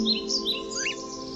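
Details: Pet cockatiel at its playground: a few quick, high chirps and a rising whistle over soft, steady background music.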